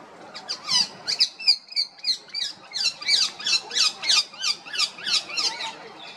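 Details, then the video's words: Female rose-ringed parakeet chirping: a steady run of sharp, high, squeaky notes repeated about three times a second for six seconds, loud and close. "Female Parrot Chirping Sounds, Natural Parrot Sounds, Parrot Calling"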